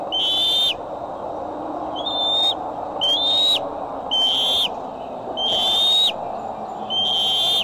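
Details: Bald eagles at Decorah nest, afternoon or evening of July 6, 2011: high, thin whistled notes, each rising slightly then dropping sharply at the end, about half a second long, repeated six times at irregular intervals over steady low background hum.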